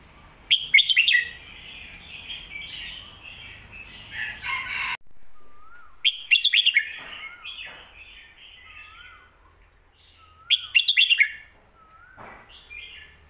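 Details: Red-whiskered bulbul singing a popular song style locally called 'Phat Kuay Tiew' or 'Mae Bot' (master song). Bubbly, warbled whistled phrases come in bursts near the start, middle and end, with short low slurred whistles between. An abrupt break falls near five seconds.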